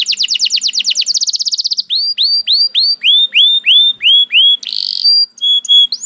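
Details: Canary singing in rapid varied tours: fast trill of falling notes, then a series of separate rising-falling whistled notes about twice a second, a brief buzzy burst, and clear high whistles at the end.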